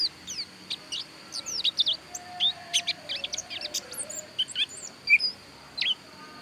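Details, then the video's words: Pleci dakun, the Javan white-eye from Pupuan, Bali, singing a rapid, busy run of high chirps and short whistled slurs, tumbling notes packed closely with brief pauses, over a soft steady tone. "Suara Pleci Dakun Bali Pupuan"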